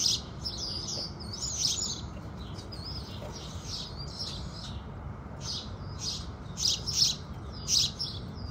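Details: Sunrise chorus of house sparrows: softer, overlapping chirps and twitters early on, then a few louder, clearer chirps near the end, over a low steady hum.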